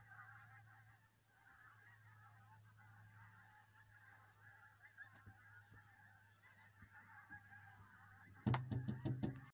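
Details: Geese on the Solway Firth at Southerness, Dumfries, southern Scotland: a steady babble of distant flock calls runs throughout over a low rumbling hum, then loud, harsh honks burst out close by in the last second.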